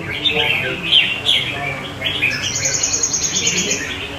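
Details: Caged red-whiskered bulbul of the crested type, singing near other caged birds; bright warbled chirping phrases, some rising, clustered in bursts, then a run of quick repeated notes, with faint voices in the background.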